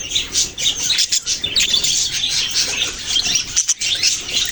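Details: Budgerigar chirping, heard as overlapping high, buzzy warbles and short tweets that rise and fall in quick bursts. Two brief near-silent gaps interrupt the flow, one early and one near the end.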